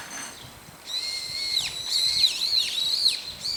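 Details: Several brown-eared bulbuls calling in daytime, using about four call types: after a quiet start, shrill high whistles run together with sharp down-slurred and looping squeals, harsh and insistent.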